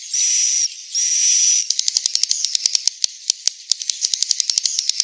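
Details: Swiftlets recorded in Central Sulawesi as a roosting call: two long hissing buzzes followed by a rapid train of sharp dry clicks, irregular and fast.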